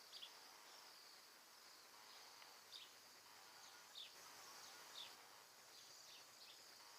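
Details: A flock of perhaps a hundred Bohemian waxwings, arrived from the Arctic to feed on red berries in a mountain ash tree in an Alberta yard, gives faint, very high, thin trilled calls every second or so. They are recorded through a door over a steady hiss.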